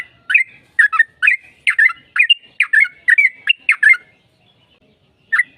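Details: Yellow-vented bulbul in a long-phrased 'ropel panjang' song played so another bird will sing back. A dense burst of rich, chattering, liquid notes for about four seconds, then silence and one last note.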